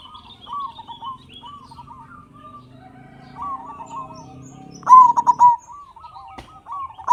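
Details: Local zebra doves cooing as a lure for captive birds: soft repeated rolling trills from several doves over a low hum, then a louder burst of rapid coos.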